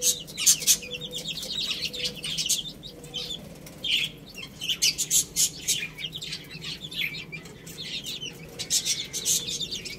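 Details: Chicks feeding on rice peep in short high bursts between clusters of sharp, dry pecking taps and rustles, with quieter gaps in between.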